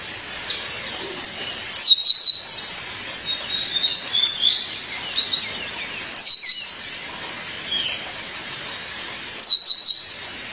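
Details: A female violaceous euphonia calls to her mate with bursts of crisp high descending chirps recurring about every four seconds, separated by soft chattering whistles.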